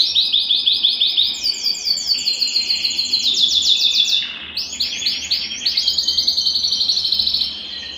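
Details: Belgian canary in full song, played to warm up a cold canary: rapid high trills in long runs, a short dip and pause near the middle, then fresh bursts of fast repeated notes.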